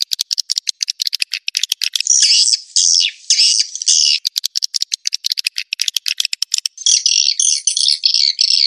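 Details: Swiftlet call played to lure birds into roosting: fast dry clicking bursts alternate with buzzy, rasping chirps. The sound is high-pitched only, with no low sounds at all.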